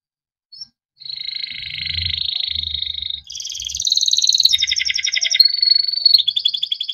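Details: A yellow Timbrado canary sings long rolling trills, each held for about two seconds at a steady high pitch before jumping to a new pitch, giving a buzzy, water-like warble; faint low rumbles at the start.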